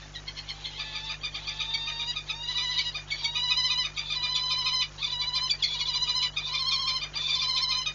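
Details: Peregrine falcon at Orlen Płock, Poland, on 19 March 2022 gives harsh, rasping calls in rapid, nearly unbroken bursts over a steady low mechanical hum.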